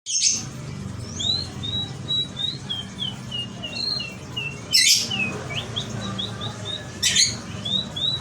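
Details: Local canary singing in the style called merlok: thin whistled notes in a loose series, some rising and some falling, broken by sharp broadband clicks near five and seven seconds over a low steady background hum.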